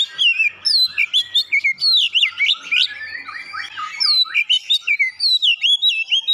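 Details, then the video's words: Oriental magpie-robin song filled with gelatik batu imitations, a nonstop stream of sharp whistled slurs, rising and falling flourishes and chattering notes packed closely together, loud and varied throughout. "kicauan Kacer isian gelatik batu"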